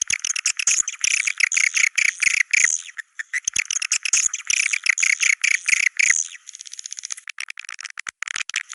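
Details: Swiftlet sound in the style called Goa China: dense high twittering and chirping chatter, rapid notes packed together for six seconds, then sparser thinner chirps and clicks to the end.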